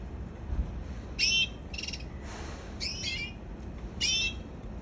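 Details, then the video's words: Canary chirping in spaced bursts: four short high notes with rising, bending tones about every second, separated by quiet gaps with low background noise. "Canary singing"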